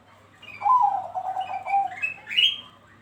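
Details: Bangkok zebra dove song used as a lure to prompt other doves to sing: a soft, rapid series of pulsed cooing notes, ending in a brief higher whistle that rises sharply.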